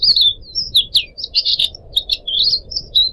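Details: Caged Pied Triller singing on a bird-training recording with added trickling water: rapid string of bright, high chirps and quick slurred notes, some falling, delivered without pause.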